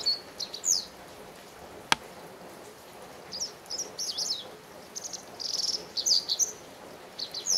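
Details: A Japanese wagtail in a garden calls insistently and noisily for a long while, giving sharp, high, slightly buzzy chirps in quick bursts separated by short pauses; a single sharp click sounds near the start.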